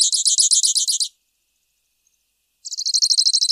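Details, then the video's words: Grassland yellow finch with quick high-pitched trills of evenly spaced, buzzy, repeated notes: about a second of trilling, a pause, then another fast trill, all in clean quiet conditions. "Misto Canto - Misto Llamado - Sonido! Cantando! - Grassland Yellow Finch Bird Song - Sicalis Luteola"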